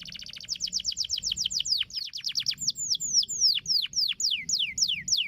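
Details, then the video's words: Canary song meant to prompt canaries into steady singing: a quick rattle speeds into bright repeated downslurs, then slows to separate loud sweeping whistles about three per second. "Terapi Burung Kenari Agar Cepat Gacor Ngedurrr"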